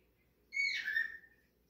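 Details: Cockatiel calling as it walks and plays, giving a single rich, slightly harsh whistle that starts high and bright, then slides downward and trails off, with faint background hum.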